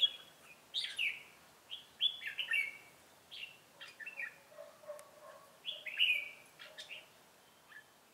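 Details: Red-whiskered bulbul of the 'ché' song style, a call bird used for trapping in Vietnam, recorded 25 June 2018, giving short loud whistled and warbled phrases with downslurred notes, separated by brief pauses, in a quiet outdoor setting.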